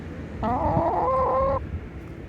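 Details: Chickens on a cool sunny day; one bird gives a drawn-out, slightly wavering nasal call lasting about a second, with low background rumble before and after.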